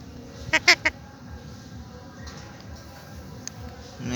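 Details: Talking pet parrot repeating its own name: three quick, sharp, harmonic syllables bunched within half a second, then near silence with faint background hiss.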